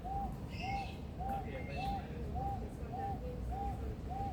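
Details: Captive male Superb Lyrebird at Adelaide Zoo, known for copying other birds and mechanical sounds, delivers eight rhythmic arched whistle notes in quick succession, with a few faint high whistles early on and a steady low rumble throughout.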